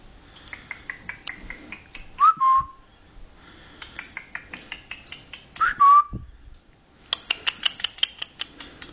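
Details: Indoor pet cockatiel, 13 years old and still learning words, makes rapid bursts of dry clicks and soft chatter, broken twice by a loud, short, downward-sliding whistle, then ends with a fast clicking run.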